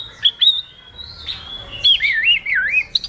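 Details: White wagtail (Motacilla alba), song.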